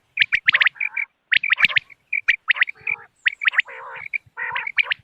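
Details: Common quail call recording used as a hunting lure on moonlit nights, dated 3 November 2025: rapid clusters of sharp, high chirped notes in twos and threes, with a few rougher nasal notes between bursts and short silent gaps.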